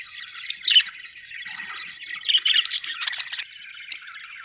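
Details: Several budgerigars chattering, a dense stream of warbled, scratchy chirps with sharper squeaks at the start, middle and near the end.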